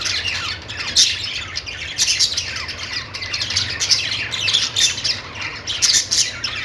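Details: Budgerigars chattering happily: an unbroken stream of scratchy high chirps and warbles from several birds, with brief louder squawks spaced about a second apart.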